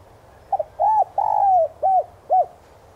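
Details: Lure spotted dove cooing in the standard 'son' voice style: a stuttered double note, a rounded coo, a long descending coo, then two short arched coos at steady spacing.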